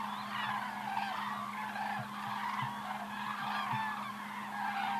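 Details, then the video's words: A flock of cranes calling in flight, recorded in 2014: a dense, continuous chorus of overlapping honking and trumpeting calls, with a steady low hum underneath throughout. "Flying Cranes (Part 2 - 2014)"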